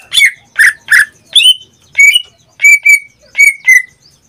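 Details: Greater green leafbird, a caged pet that sings nearly every day, gives spaced whistled notes. Several are rich and slurred, and later ones come as clear paired chips about every half second.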